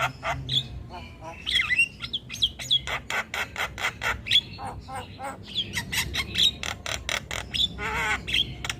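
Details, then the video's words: Javan myna singing tirelessly in a recording used to train other birds: a dense run of rapid clicking, rasping notes interspersed with squeaky whistles and a buzzy, wavering phrase near the end. "Jalak Kebo gacor Tak Kenal Waktu Bikin Ribut Burung Lain Ikut Bunyi"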